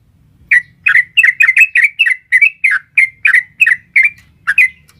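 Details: Female sooty-headed bulbul calling a male, long rapid 'ropel' song used as a lure to stir a caged bird; quick chain of clear, bouncing whistled notes, about two per second, over a faint low hum.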